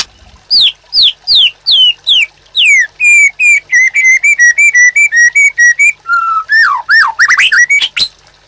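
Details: White-rumped shama song used as a master for training caged birds. Clear downslurred whistles come first, then a fast run of repeated level whistles, ending in twisting, rising and falling phrases.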